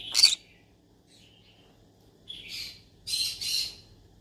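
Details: Yellow-sided conure, a pet parrot, calling as if looking for friends to talk to: a sharp broadband squawk, then after a pause a rasping call and two quick harsh notes near the end, in a quiet room.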